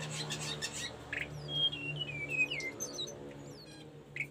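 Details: Sunda Blue Robin song used as a training recording for caged birds: a run of short, clear whistled notes stepping downward, with a few sharp higher chips and a constant low hum behind.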